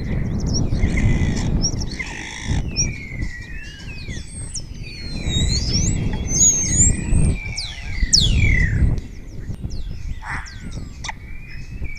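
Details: Spotless starling in Cabañeros National Park, Spain, singing in front of the camera and answered by other starlings, mimicking orioles, kites and other birds; rapid varied whistles, steep sweeping slurs and buzzy bursts, amid intermittent low rumbling.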